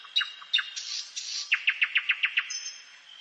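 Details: Nightingale singing at night in a forest: a few sharp whistled notes and buzzy phrases, then a fast run of about eight repeated down-slurred notes, ending in a thin high whistle over a steady faint high tone.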